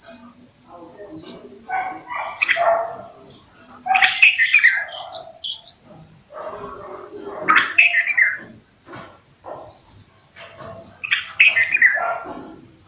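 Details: Bulbul giving loud, bubbly, descending phrases roughly every three to four seconds over a steady background of high twittering birds.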